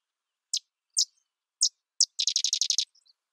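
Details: Sedge wren: four separate high, dry chip notes spaced about half a second apart, then a fast staccato chattering trill of about nine sharp notes, all very high-pitched with a clean, quiet background.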